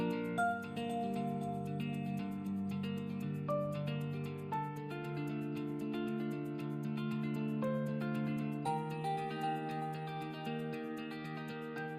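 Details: Only instrumental music is heard, with soft sustained notes and gentle plucked tones and no animal calls.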